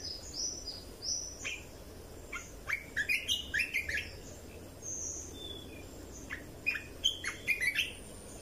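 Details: Red-whiskered bulbul training song, played to teach chicks and rouse birds: high thin whistles early on, then bursts of quick chirpy, slurred notes in uneven clusters, with pauses between phrases and faint background hum.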